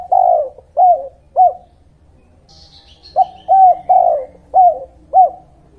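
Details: Spotted dove (tekukur/derkuku) cooing in a 'kuk 2' lure recording meant for attracting wild birds and training young ones: three hollow coos, a pause of about a second and a half with a faint high chirp, then five more low coos in steady rhythm.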